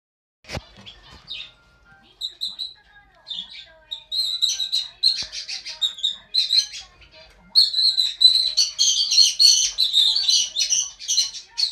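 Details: Scaly-breasted (Green-cheeked) conure in a shop chatters in harsh, scratchy bursts that start sparse and build into near-continuous, rapid squawking by the end.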